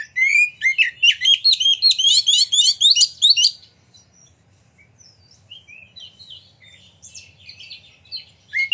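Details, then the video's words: Oriental magpie-robin song for coaxing other magpie-robins to sing and open their tails: a fast rattling series of repeated sharp notes for three seconds, then quieter scattered whistles. "Pancingan Kacer Gacor Ngeplong Nembak! Buat Kacer Lain Ikut Buka Ekor Keluar Isian"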